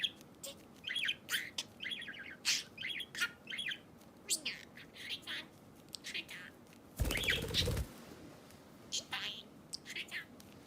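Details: Budgerigar kept as a pet, its chatter posted to aid lost-bird searches: strings of short warbling chirps and clicks, interrupted midway by a brief loud rustling burst, then more chirping.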